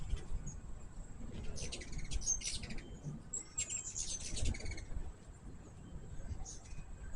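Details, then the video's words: Hummingbirds around a sugar-water feeder give two close bursts of rapid, high, sputtering chips and squeaks, followed by quieter isolated chips, over steady low background rumble. "My first hummingbird video with natural sound."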